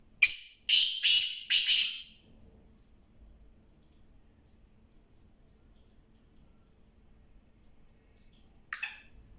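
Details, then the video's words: Black francolin calling: a rapid series of four harsh, rasping notes, then a long lull with a steady thin high whine and soft low hum, before one more grating note near the end. "kala Teetar Ki awaaz کالا تیتر کی آواز"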